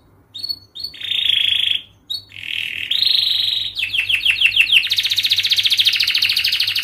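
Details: Canary giving long continuous song as a training lure for young canaries: sustained buzzy rolling tones broken by brief gaps, then a fast series of descending notes speeding into a dense, rapid high trill.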